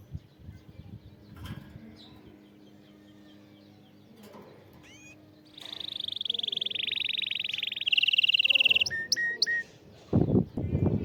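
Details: Canary song meant to stimulate a silent canary to sing: after a murky, noisy start, a loud rolling trill at a steady pitch runs for several seconds, then breaks into short whistled notes and a sharp burst of noise.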